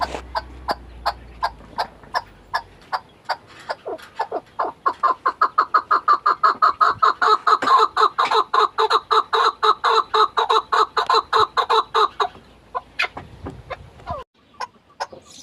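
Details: Chukar partridge calling in a long rhythmic series of loud chuck notes that speeds up into a fast, steady run of nearly two per second, then breaks off into a few irregular notes.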